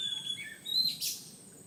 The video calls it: Magpie Robin